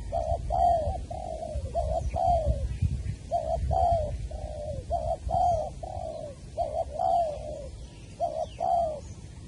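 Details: Spotted dove (cu gáy) in Long Đức, Trà Vinh, recorded on 23 January 2020 during trapping of a wild bird with a decoy bird: mid-pitched, throaty coos in short phrases of two to three notes, repeating steadily over a low rumbling background.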